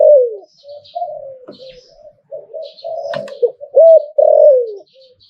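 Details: Thai zebra dove singing a hlio-tan style song. A descending coo opens a soft, stuttering run, with a click midway, then two loud looped coos, one sliding down. Faint high chirps are heard.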